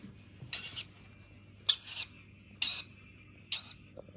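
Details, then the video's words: At feeding time a rainbow lorikeet chick begs with four short, scratchy, grating squawks spaced about a second apart, a faint thin tone lingering between them and a soft knock near the end. "Feeding time - Rainbow Lorikeet chick"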